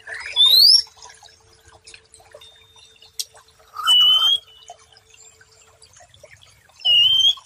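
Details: White-rumped shama training song for stressed birds that have stopped singing: three short, clear rising whistles spaced several seconds apart, with faint clicks and drips in the pauses.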